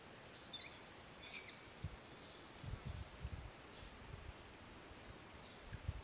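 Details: Broad-winged hawk perched on a snag at Sugar Hill State Forest, Watkins Glen, New York, listening to another broad-winged hawk and a red-shouldered hawk; one high, thin, steady whistle lasting about a second, then quiet with faint low rustling.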